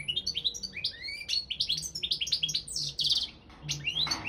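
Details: Competition song of a Balkan goldfinch, Carduelis carduelis balcanica, in an internet championship: a continuous rapid stream of rising chirps and a short buzzy trill, with a faint low hum beneath.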